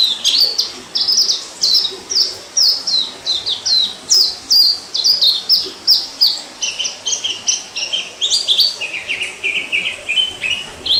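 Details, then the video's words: Wild orange-headed thrush, recorded 2018, singing a long varied sequence of high clear whistles and chirped notes in rapid succession, the phrases shifting lower toward the end, with light background hiss. "Suara Burung Peleci ngalas"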